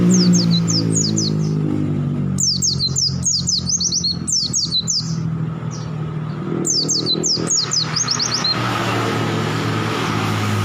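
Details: Oriental white-eye singing, a mix of wild-caught and long-kept birds: clusters of high, fast descending whistled notes in bursts separated by pauses, over a steady low hum and passing vehicle and motorbike noise.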